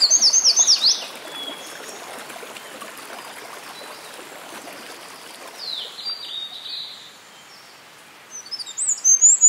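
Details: Eurasian wren singing at Hinohara Village, Tokyo, on 5 June 2011: bursts of very high, rapid, ringing trills at start and end, softer high notes between, over a steady rushing stream.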